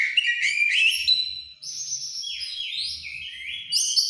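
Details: White-rumped shama in breeding condition singing rich whistled phrases, warbled notes, then sliding and descending whistles with a loud high flourish at the end.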